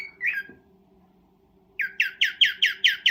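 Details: Cockatiel mating call during breeding: one rough squawk, a quiet gap, then a fast string of loud descending chirps repeated about five times a second.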